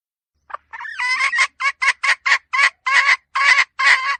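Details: Hen calling in a fast series of harsh, harmonic clucks that rise into a loud cackle. The notes repeat roughly twice a second, and the background is quiet.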